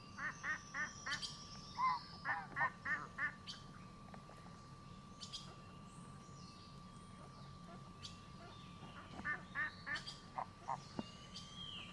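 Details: Geese at a lake giving bursts of nasal, harmonic honks, several in quick succession, then a pause of a few seconds before another run of honks; small birds chirp faintly in the background over a steady low hum.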